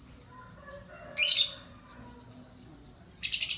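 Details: Lovebird singing in a song competition, its 'isian kapas' fill: thin, high, drawn-out whistles broken by two loud, buzzy, rattling bursts, one near the middle and a pulsing one at the end, over faint background hum.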